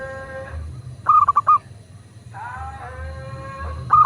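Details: Local zebra dove sound for prompting other doves to coo: one short burst of quick mid-pitched notes, then softer smooth sliding tones and a final clipped note over a low hum.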